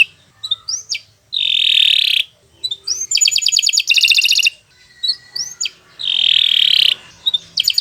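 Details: Canary long song for training other birds: short upslurred whistles alternating with sustained buzzy trills and rapid rolling notes, separated by brief silences.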